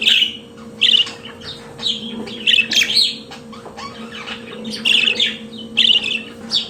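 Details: Pet budgerigar song of bright trilled chirps repeated in groups about every second, mixed with clicks and scratchy notes over a faint low hum.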